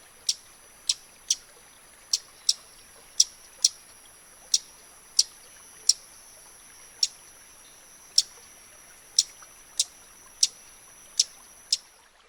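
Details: Scarlet-backed Flowerpecker (Dicaeum cruentatum) in its natural habitat gives sharp, very high, dry ticks, about one every half second to second, over a steady thin high hiss of background insects.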